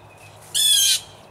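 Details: Harsh, buzzy squawk from one of three to five wild blue jays fighting a territorial battle in a backyard tree; a single loud, rasping, richly layered note of about half a second, standing alone over quiet background.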